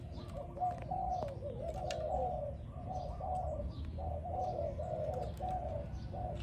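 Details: Spotted dove song used for training, a run of soft, low hooting coos at mid pitch joined almost without pause, fainter than the room hum and faint higher ticks behind it.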